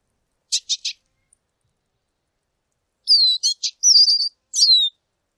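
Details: Lesser goldfinch: three rapid sharp chips, a pause, then a jumbled run of chips, trilled twitters and a falling whistled note.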